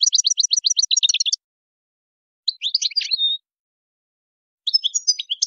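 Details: European goldfinch in Tadmait song style, a tutoring recording for young birds: a rapid string of evenly repeated sharp chirps, then a brief twittering phrase, a pause, and another high twittering burst.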